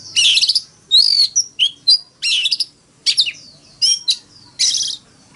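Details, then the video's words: Oriental magpie-robin decoy bird giving a fighting song, in the Vietnamese forest-voice style used to rouse other magpie-robins into morning song: loud bursts of buzzy, rasping notes mixed with bright sliding whistles, about ten short phrases with brief gaps between them. "Tiếng than mồi hót đấu"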